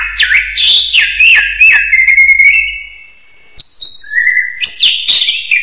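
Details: Hill myna calls: warbling, slurred whistles that wobble up and down, a long steady tone, and a silent pause, then a high flat whistle and a rising sweep with a burst of mixed notes.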